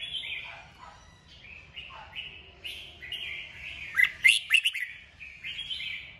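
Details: Red-whiskered bulbul prompted to sing, giving a run of short warbled phrases followed by a cluster of loud, sharp chirps in the middle and softer notes after.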